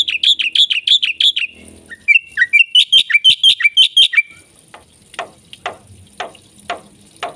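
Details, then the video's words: Black-winged myna in loud, energetic full song: a rapid run of about nine ringing, bouncy notes, then a slurred rising series of chirps, ending with sharp, spaced squeaky calls roughly every half second. "suara jalak putih gacor full isian"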